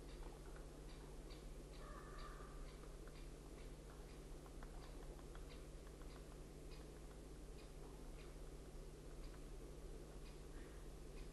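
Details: A woodpecker hammers on 11 February 2012: faint, uneven tapping, about three knocks a second, over a steady low hum, with a brief tonal note early on.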